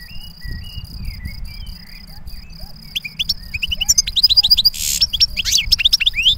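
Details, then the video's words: European goldfinch twittering over a steady high insect-like drone. Scattered notes build after a few seconds into quick, bright, repeated chirps and trills. "Būyūleyici Saka Sesi Fena"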